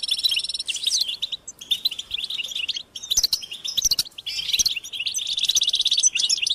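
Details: European goldfinches chattering and singing outdoors; dense high twittering with buzzy trills and quick rising and falling notes, overlapping voices in bursts separated by short pauses.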